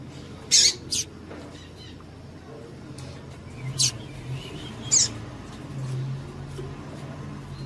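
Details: Double-collared seedeater female calling to excite a male into song, as breeders use before tournaments: brief high piercing peeps, a quick double at the start and then single notes about a second apart, with low steady hum behind.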